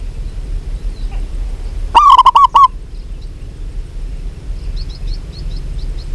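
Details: One loud phrase of five fast, warbling coos from a local zebra dove, possibly a female calling a male, followed by a string of thin, high repeated chirps from another small bird.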